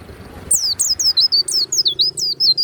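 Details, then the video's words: Warbling white-eye (pleci), a kept songbird, singing a fast series of very high, piercing, swooping downslurred notes, each dipping then turning up, in a quiet setting. "SUARA PLECI YANG MANTAP"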